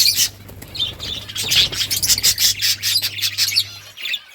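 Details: Budgerigars giving loud, high, scratchy chirps and warbles in quick succession, a busy flock chatter over a low hum that fades near the end.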